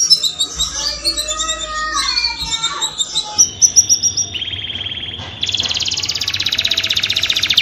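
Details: Canary singing a mating song intended to encourage breeding birds: varied warbled phrases, then a steady mechanical trill that shifts into a higher, rapidly pulsed rattle.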